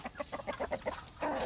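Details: A chicken in Escondido, California, where roosters are heard all around, gives a quick run of short, throaty clucks, about seven or eight a second, breaking into a longer, louder drawn-out note.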